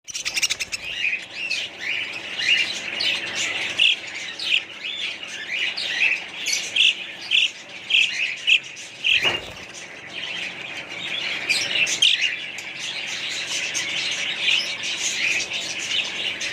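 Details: A colony flock of budgerigars (Melopsittacus undulatus) chatters nonstop with warbling, chirping calls overlapping one another.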